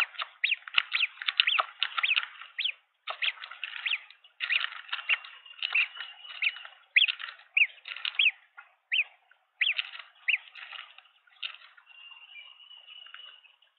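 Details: Three green wood hoopoe hatchlings being fed in their nest, Pretoria, South Africa, December 2022: bursts of raspy, chattering begging notes in quick runs with short pauses, ending in a thin, steady high whine.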